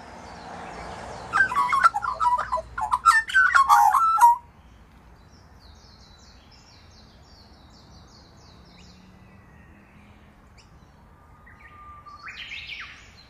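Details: Australian magpie from a family raising chicks through rain, hail and shine; a loud burst of rich, tumbling warbled notes for about three seconds, then near quiet with faint distant chirps and a soft low hum.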